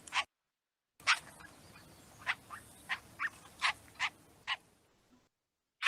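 Canada Jay giving a series of short, harsh, scratchy notes, about ten in all at a quick uneven pace, with brief silent gaps between bursts.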